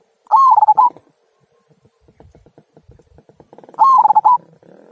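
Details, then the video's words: Local zebra dove singing the 'kung' song used to prompt other birds: brisk, broken cooing phrase of several short notes, repeated once after about three and a half seconds over faint clicking. "Perkutut Lokal Suara Kung, Cocok Untuk Pancingan"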